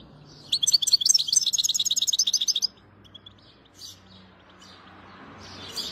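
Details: A European goldfinch (Carduelis carduelis) sings two seconds of fast, high, liquid twittering, with tinkling notes tumbling over one another, followed by only a few faint chirps and a low hum.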